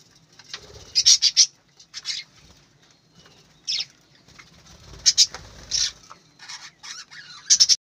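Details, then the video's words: Budgerigars on a bird farm give scattered sharp, high squeaky chirps in small clusters between quieter soft chatter, with some faint fluttering and rustling. "বজিগর পাখির ডাক । পাখির কিচিরমিচির শব্দ"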